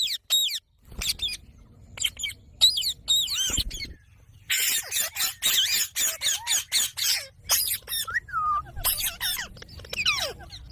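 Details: Green pet parrot chattering: scattered shrill squawks, then a dense stretch of rapid harsh calls mixed with rising and falling whistled syllables.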